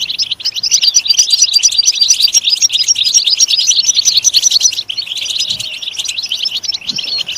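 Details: Continuous European goldfinch twittering, bright rapid chirps and buzzy trills in a dense flow, easing slightly after the fifth second.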